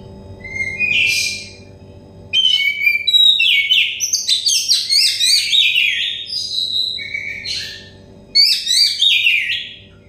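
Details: Kacer dakon, an Oriental magpie-robin, in full song, used to coax stressed birds into singing: bursts of rich whistles, chattering trills and sweeping notes, separated by short gaps, about four elements per second.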